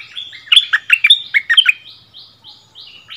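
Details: Bulbul dueling in doubled song with the local territory holder after being brought back to its former area: a burst of rich, gurgling notes, followed by fainter, thinner repeated phrases.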